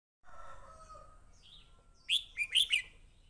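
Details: Red-whiskered Bulbul fighting song: after a low, drawn-out crow-like tone, four loud, sharp whistled notes follow in quick succession, with bright, slurred rising and falling phrases.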